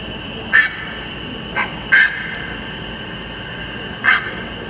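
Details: A recorded Great Blue Heron played from a push-button exhibit at Goose Creek State Park, North Carolina, gives four short, harsh squawks, spaced irregularly over a few seconds, over a steady electrical hum.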